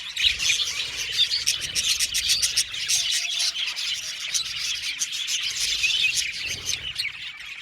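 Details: A flock of budgerigars in an aviary fills the air with continuous high chirping and chattering. Quick repeated ticking notes run through the dense twitter of overlapping birds.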